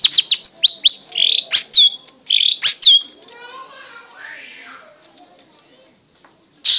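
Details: Long-tailed shrike (cendet) giving a rapid series of loud, sharp, high notes and a few harsh slurred calls for three seconds, followed by quieter rustling and a final loud note.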